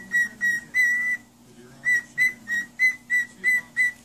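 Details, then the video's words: A parrot whistling for a child: three bright, level notes, the third drawn out, then a short silence followed by seven quick, evenly spaced whistles on the same pitch. "Parrot sings for the child"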